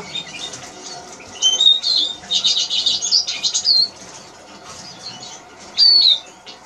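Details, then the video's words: ['A Eurasian siskin (Spinus spinus) sings a busy, high twitter with a short wheezy burst in the middle, then a single clear descending whistle after a pause.'] "Eurasian siskin Song"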